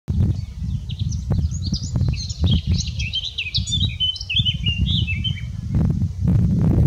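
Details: A Eurasian blackcap in full song at Haskayne Cutting, Lancashire, on 25 May 2020, gives one rich, fast warbling phrase of varied high notes lasting about four seconds, over steady low wind rumble.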